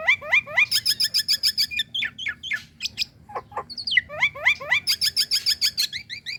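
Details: A female Nias hill myna calls for the male with rapid rising chirps grouped into bursts, a pause of lower choppy notes in the middle, then another fast run of bright upslurred notes.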